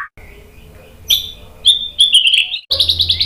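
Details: White-rumped shama song meant to provoke a reply: scattered high sharp notes and short trills after a faint start, ending in a rapid run of bright repeated chirps.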